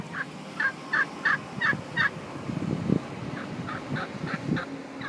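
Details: Turkeys gobbling: a rapid series of five loud, rattling gobbles in the first two seconds, then several fainter gobbles further off, over a low background rumble.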